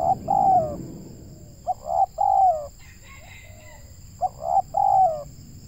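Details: Local spotted dove with a big voice, heard during trapping in Indonesia. Three soft coo phrases, each a short note and two longer falling coos. A brief chirping from another bird sits between them, over a steady high hum.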